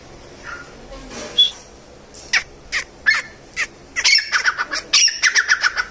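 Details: Wild grey francolin giving harsh, shrill notes, at first spaced out, then a fast run of repeated squawking calls near the end; faint background hiss.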